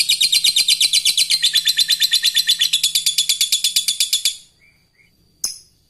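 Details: Fighter lovebird in a long ngekek: a very fast, even, high rattling trill of about forty notes over four seconds, then a single sharp chirp. This call of a bird calling an opponent is used to train other lovebirds.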